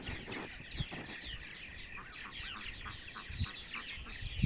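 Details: Purple martins on a sunny Sunday morning in central Ohio, giving dense overlapping gurgling chatter of many birds, with scratchy rapid notes running throughout and a few low thumps and bumps underneath.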